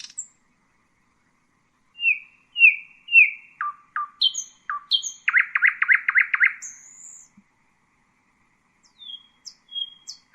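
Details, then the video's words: Common nightingale singing a varied phrase: three clear downslurred whistles, short abrupt notes, then a rapid throbbing rattle, followed by a pause and scattered high thin notes; quiet background. "Common nightingale,beautiful birdsinging"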